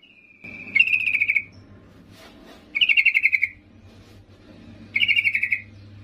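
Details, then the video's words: Yellow-vented bulbul female calling to a male, giving three quick rattling trills roughly two seconds apart, each a rapid run of high pulsed notes that drops slightly in pitch, over a low steady hum. "Trucuk BETINA MEMANGGIL JANTAN"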